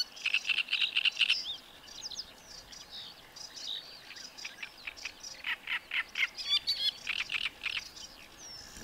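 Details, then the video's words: A great reed warbler sings in a reedbed, its typical habitat: loud, harsh, croaking phrases, a quick run of repeated notes, then grating chatters and squeaky whistles, over faint background hiss. "Trzciniak koncert"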